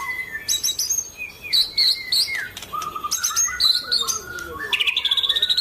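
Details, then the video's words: White-rumped shama, a regular champion, in full gacor song: varied whistled phrases slide up and down, mixed with bright chirps, ending in a rapid stuttering trill. "murai batu gacor"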